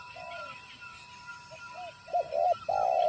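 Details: Lure spotted dove during trapping, calling after seeing a wild bird: faint distant coos first, then a close loud phrase of two short low notes and a long sustained coo.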